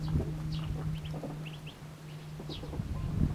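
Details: Hungry Mallard ducklings utter short, high, downslurred peeps at uneven intervals while they feed, with dabbling sounds and a constant low mechanical hum.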